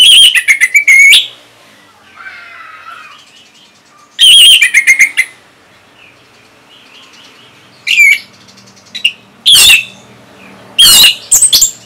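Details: Song of an orange-headed thrush from northern Bali, a sound used to get other birds singing: several loud bursts of fast, shrill chirping notes alternating with quieter gaps and soft twittering.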